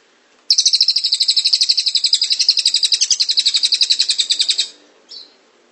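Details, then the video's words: Cililin in ngrol style, recorded as tutor audio: a four-second unbroken rattle of quick, piercing high chirps, ending with a single short note. "Masteran cililin gacor ngrol"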